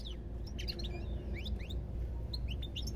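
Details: European goldfinch song in a short burst of quick, liquid chirps and slurred upward notes tumbling together, with constant low background hum.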